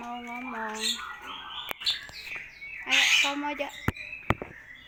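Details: Talking hill myna repeating words such as "Assalamualaikum" in a voice-like tone with stacked harmonics, a loud harsh squawk in the middle, and sharp clicks and whistles after it.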